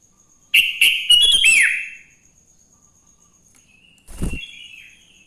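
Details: Morning sooty-headed bulbul song meant to coax other bulbuls into singing: one loud phrase of quick chirps ending in a falling slur, then a softer phrase with a dull low thump.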